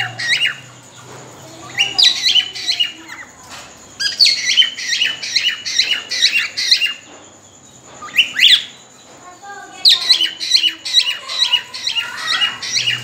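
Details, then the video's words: Breeding-ready cockatiel's mating whistling: long runs of rapid, bright chirping notes, broken by short pauses and one louder swooping call, then more quick repeated notes. "Cocktail | Parrot Ready To Breeding| Matting Whistling"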